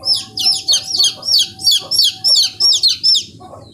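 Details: Chicken chicks calling loudly: shrill, downward-slurred peeps repeated about three times a second in an unbroken run, with a faint low background hum.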